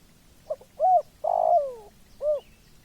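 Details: Clean spotted dove phrase on a quiet background: a tiny double note, a rounded coo, a long loud coo sliding downward, then a last short hoot.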